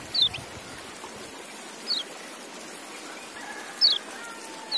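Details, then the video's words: Four faint, high, down-slurred notes from a white-eye (kecial) scattered over five seconds, thin and brief amid a soft hissing background. "Relaksasi Suara Kecial"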